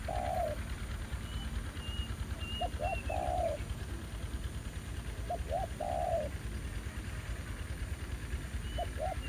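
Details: Spotted dove, a fresh wild male drawn to a ground decoy at an old trapping ground, giving several spaced coo phrases of quick double notes and a longer hoot, while another bird adds thin high whistles.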